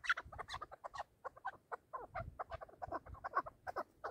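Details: Chukar partridges kept for hunting, heard in a calling contest: soft, quick clucking notes repeated irregularly, some slightly rising, over quiet background.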